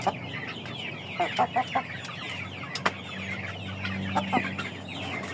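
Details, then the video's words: A flock of Aseel, Oshamo and Ganoi chickens: thin descending peeps in the background, a short run of four lower clucks mid-way, a few more clucks near the end, and a steady hum. "ayam aseel ayam oshamo ayam ganoi"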